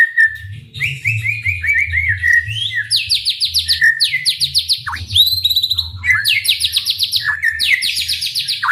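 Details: White-rumped shama in vigorous song, played to stir rival shamas to sing: whistled phrases, dense rattling bursts of high rapid notes, and sudden swooping slurs, with a low hum in the background.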